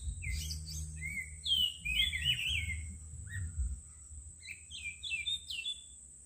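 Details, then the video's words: Soothing birdsong of quick whistled phrases, clear and slightly slurred, about two or three notes each second, with rising high notes near the end against a steady high hiss and low hum. "Luar biasa suara burung berkicau yang begitu sahdu"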